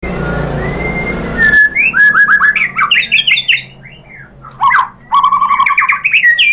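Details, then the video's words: White-rumped shama lure song to make other shamas sing: a noisy opening with a long whistle, then energetic rapid bursts of varied chirps and slurred notes with short gaps between. "Suara MURAI BATU jadi EMOSI GACOR BONGKAR ISIAN | PANCINGAN MURAI ¦ SHAMA BIRD"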